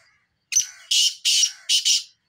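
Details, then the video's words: Grating call of a black francolin: a thin introductory squeak followed by three loud rasping notes, the final one doubled, delivered in just over a second. "kale titar ki mast awaz"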